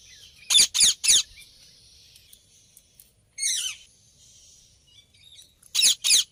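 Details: Loud, piercing rose-ringed parakeet screams delivered in quick groups of two or three, with a single longer rasping call in between and faint chirps between bursts.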